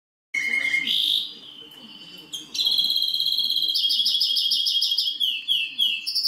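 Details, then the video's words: Greenfinch and canary hybrid singing loudly: a steady high whistled note, a short pause, then long bright rolling trills of rapid repeated notes, closing with a few downward-slurred swoops. "Φλωροκάναρο - carduellis chloris x canary"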